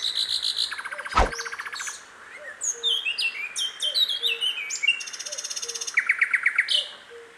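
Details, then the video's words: Sikatan londo flycatcher in the wild: buzzy trills and a varied run of quick high whistled slurs and twitters, ending in another fast trill, with a soft low repeated note behind it. "𝗕𝘂𝗿𝘂𝗻𝗴 𝗦𝗶𝗸𝗮𝘁𝗮𝗻 𝗟𝗼𝗻𝗱𝗼 𝗞𝗶𝗰𝗮𝘂 𝗔𝗹𝗮𝗺 𝗟𝗶𝗮𝗿"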